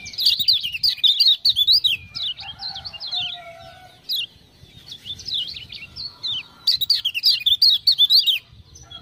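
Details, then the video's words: Lemon-bellied white-eye (kecial kuning), a captive tutor bird from Lombok, prompted by ciak-ciak sounds into vigorous song: rapid high twittering, warbling phrases in bursts of one to two seconds with short pauses, and a few lower steady whistled notes in between. "Kecial Kuning joss gacor"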